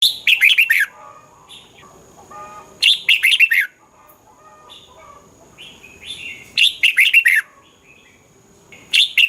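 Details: Red-whiskered bulbul from Thailand, song played to excite caged birds: three bright phrases of four or five quick, slurred whistled notes, each phrase under a second, separated by about three seconds of soft chatter.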